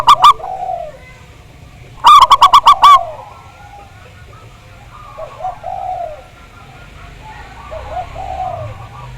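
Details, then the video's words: Big-voiced local zebra dove from Java, on a recording used to lure birds into singing: a short burst, then a loud run of ringing coo notes, followed by scattered soft, low cooing phrases. "Pancingan Perkutut Agar Bunyi, Suara Besar Mantab"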